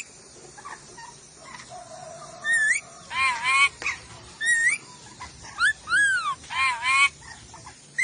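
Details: Ornate lorikeet from Sulawesi, kept as a tutor recording for training songbirds: a quiet start, then loud, harsh, ringing screeches and upslurred whistled squeals in uneven bursts through the second half.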